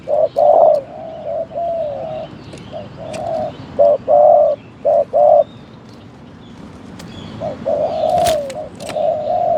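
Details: Spotted dove calling from a decoy trap: low, hollow coos in short grouped phrases, several close together and then a pause before another burst, with faint rustling and rural background.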